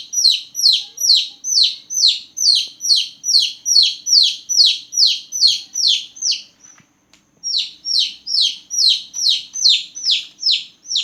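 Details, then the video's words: Newborn baby chickens peeping loudly at night. Rapid, evenly spaced downward-sliding chirps run for about six seconds, break off in a brief silence, then resume at the same brisk pace. "Chicks Chirping Sound || Chicks Chirping Loudly || Chicks Chirping a lot"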